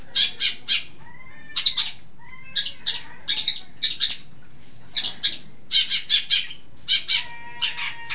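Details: Long-tailed shrike of East Java in lively song: clusters of scratchy, buzzy notes in quick doublets and triplets, separated by brief pauses, with faint thin whistles between bursts.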